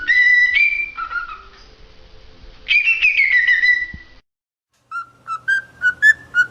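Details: Cockatiel song: long sliding whistles rising then falling, a brief silence, then a quick run of short, even chirps repeated roughly three times a second.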